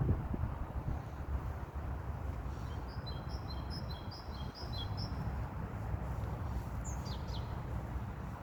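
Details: Wild mourning wheatear song, a brief run of clear high whistles repeated in a quick, slightly uneven series midway through, with a few sharper descending notes later, all faint against a constant low-pitched background roar.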